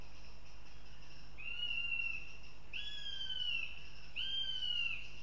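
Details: At a northern goshawk nest in Riga, Latvia, a young female visits the nest. Three drawn-out, thin, slightly falling whistled screeches come about every one and a half seconds over a steady low hum. Her male siblings are also heard later.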